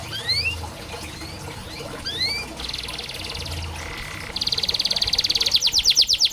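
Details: Canary song used as tutoring therapy for canaries reluctant to sing: scattered rising whistled sweeps and short buzzy rolls, ending in a loud, fast, pulsing trill over faint background hiss.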